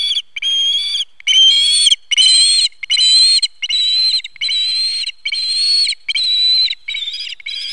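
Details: At the nest in September 2019, an osprey calls loudly while the male delivers a fish: a steady run of long, strained whistled cries, each followed by a brief pause.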